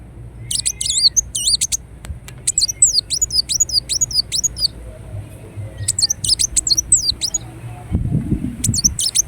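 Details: Ruby-cheeked sunbird, Indonesia: several separate phrases of shrill, curling whistles and sharp clicks, each lasting one to two seconds, with quiet spaces between and a short low thud near the end.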